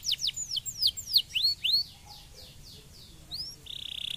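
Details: Song canary delivering a string of clear whistled notes that slide downward, about five per second, fading into softer notes before ending on a high, buzzy trill.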